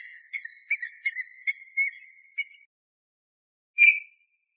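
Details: Eurasian bullfinch recorded in 2018, giving a soft run of about eight short, piping, whistled notes, slightly wavering, then a pause of over a second before one final clear whistle; no other sounds.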